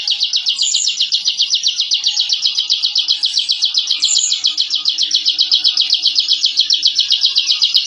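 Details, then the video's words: Bar-winged prinia (ciblek) in the 'ngebren' style, a masteran recording for training captive songbirds; a dense, high, buzzy trill of rapid repeated notes runs without pause for eight seconds, with brief higher squeaks layered over it. "Suara Masteran Burung Ciblek Ngebren & Rapat Abis"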